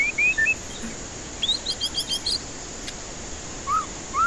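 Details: White-rumped shama lure song for stressed non-singing birds: a few short whistles, then a quick row of rising chirps, and two lower slurred notes near the end.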